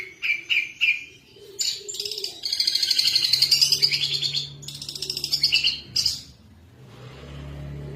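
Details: Long-tailed shrike in energetic song, used as a lure to make other birds sing. A few sharp, separate chirps lead into a long, dense, rasping chatter. The song then stops, leaving a low steady hum in the background.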